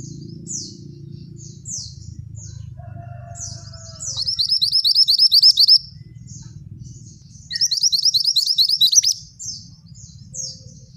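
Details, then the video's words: Male scarlet minivet singing actively. High, thin, down-slurred whistled notes repeat steadily, broken by two bursts of rapid, buzzy trilled notes, over a low steady hum. "Suara Burung Mantenan Jantan Gacor"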